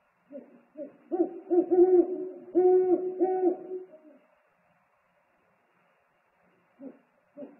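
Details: Male owl bringing food to the nest on a live nest camera, 3 March 2019, calling back and forth with the mate. Loud doubled low hoots cluster early, then a long quiet gap and two faint hoots near the end.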